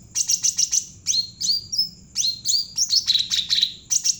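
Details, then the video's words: Javan cucak ranting bulbul in full, active song, serving as a lure for training other birds: rapid sharp high notes and down-slurred whistles given in a near-continuous chattering run over a faint low background hum. "burung cucak ranting jawa gacor cocok buat pancingan burung bahan"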